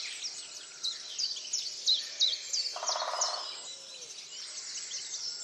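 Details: Dawn chorus on 30 March 2019 at Tophill Low nature reserve, near the picnic table by the main hide: several birds singing high, thin chirps and quick descending notes, with a short buzzy rattle in the middle.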